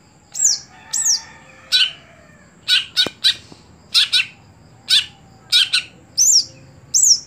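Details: Greater green leafbird (cucak hijau), a caged contest bird that no longer performs at competitions, alternates sharp, high downslurred whistles with harsh buzzy chips, about one note every half second.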